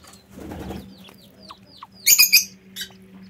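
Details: Lovebirds in a home aviary: soft wing flutters and faint descending chirps, then a loud cluster of shrill, harsh squeaky bursts packed together near the middle, with a low steady hum behind.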